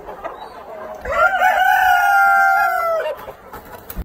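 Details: Black Copper Marans cockerel on a breeding farm giving one loud crow. A brief rising start leads into a long level note of about two seconds, which then drops off sharply. The setting is otherwise quiet.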